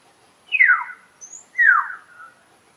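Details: Common hill myna producing two loud, rasping calls about one second apart. Each one sweeps steeply down from a high pitch, and a softer tail follows, against a quiet background.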